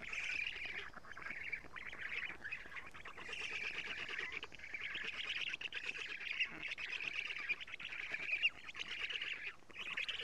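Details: Black stork nestlings in Estonia, morning of 14 June 2017, the female feeding them lampreys at the nest; nest camera. Long stretch of harsh, pulsing, wheezy chatter with only brief breaks.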